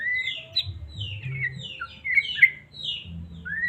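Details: White-rumped shama from Medan singing, used to provoke a caged bird into song; varied whistled phrases around mid-high pitch, some sweeping notes, with a low hum underneath.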